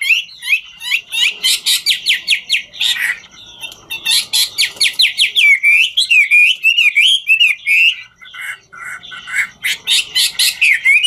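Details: A Chinese hwamei sings the ngũ trường style while dancing, pouring out dense rattling trills and harsh buzzy notes interwoven with slurred whistles, falling briefly quiet before resuming the fast, varied song.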